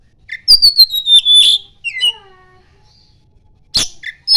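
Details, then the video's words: Oriental magpie-robin song with iora mimicry. A long, clear whistle slides gently downward, followed by a few lower, stepped whistled notes. After a pause come two sharp, high chirps. "Kacer gacor NGIPAS - NGIPAS isian burung CIPOW"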